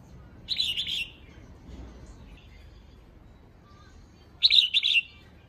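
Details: Female red-whiskered bulbul giving a call meant to excite males: two short bursts of bright, bubbling, slurred chirps several seconds apart, over quiet low background hum.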